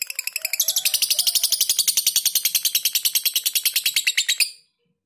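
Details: Lovebird in a long ngekek trill, recorded tight-paused as a tutor track: shrill notes pulse rapidly for about four and a half seconds, building from a softer start to a loud, even chatter, then stopping abruptly.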